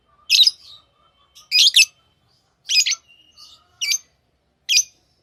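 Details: Tame lovebirds giving five loud, scratchy double-noted chirps spaced about a second apart, with faint soft notes between them.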